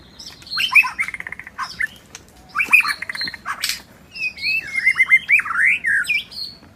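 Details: Wild white-rumped shama singing in the forest: varied bursts of whistled and chattering phrases with sharp rising and falling notes, separated by short pauses over faint background.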